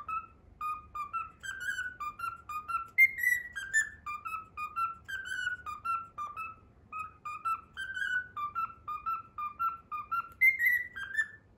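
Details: Whistled Pythagora Switch opening theme from a pet cockatiel: long runs of crisp short notes, nearly continuous and rhythmic, occasional higher sliding notes, one short gap midway. Only faint low room noise accompanies the tune.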